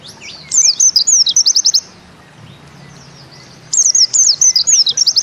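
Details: Two bursts of 'nembak ziperrr' song from a Bustomi-type pleci white-eye: each a high twisting phrase ending in a short rapid stutter, separated by about two seconds of quiet hiss.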